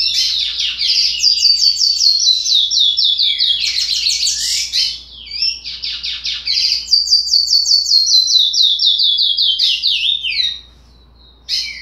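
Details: Sixty-day-old young curió practising its unfinished song, long strings of rapid high slurred notes broken by short buzzy bursts and pauses, ending in near silence with one final note; a steady low hum sits beneath.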